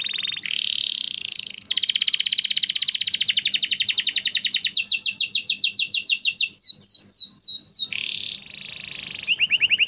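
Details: Canary song used as a master recording to coax reluctant or silent canaries into singing; fast high trills of rapidly repeated notes, shifting between rolling and choppy phrases, ending in sweeping whistled notes and a brisk rattle.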